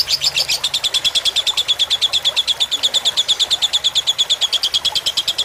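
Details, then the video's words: Lovebird in fighter style on a tutor recording for teaching long songs: fast, regular high chirps at roughly six per second. They hold a steady pitch throughout without breaks. "Suara masteran lovebird fighter dengan gemericik air"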